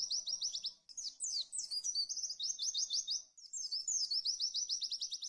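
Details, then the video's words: Pleci white-eye in rapid 'tembakan' shooting-style song: fast bursts of identical high chirps, repeated roughly ten per second, alternating with looping twittered phrases, nearly continuous over five seconds with only two short breaks. "Masteran Pleci Tembakan Speed Max"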